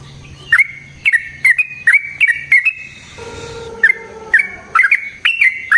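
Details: Sooty-headed bulbul singing as a lure for other bulbuls: spaced, sharp, bubbly chirps about every half second, with a brief low steady tone in the middle.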